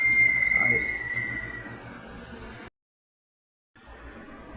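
A Little Tinamou gives a long, pure whistle that slides slowly downward for about two seconds. Faint higher twittering sounds behind it, then a brief silence.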